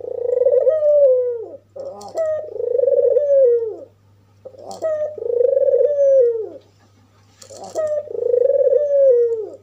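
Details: An albino red-eyed African collared dove gives low, rolling coos, each starting with a short note and swelling into a long purring phrase, repeated about every three seconds; the call is said to provoke other doves.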